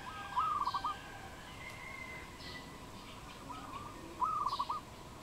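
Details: Wild dove, Cambodia, 22.04.2020: two bursts of fast, stuttering coo notes about four seconds apart, the first louder. Low steady background hum and faint distant sounds.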